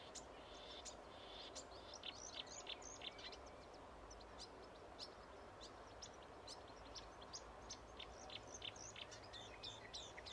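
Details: Marsh warbler near Rijssen, the Netherlands, on 25 May 2016: a faint, fast, dense run of high clicks, ticks and chirps throughout, against a soft background hiss.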